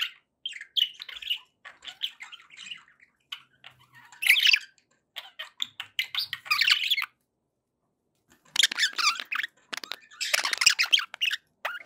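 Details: Pet budgerigars chattering, sounds meant to keep pet parakeets happy: bursts of warbled, scratchy chirps and squawks, separated by short pauses and a longer silence near the middle, then denser chatter toward the end.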